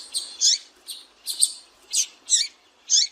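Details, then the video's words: Female double-collared seedeater calling, used to rouse males: sharp high chirps repeated about once a second, each a bright burst with a quick downward tail, seven notes in steady succession over a quiet background. "Piado de Fêmea de Coleiro Para Esquentar Coleiro Faça o teste Com Fêmea de Coleiro Chamando"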